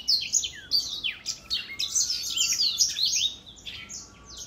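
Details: An aged black-throat singing, 2021 recording: quick high twitters and falling slurs delivered at roughly two to three notes a second, with a faint steady lower whistle running underneath parts of the phrase.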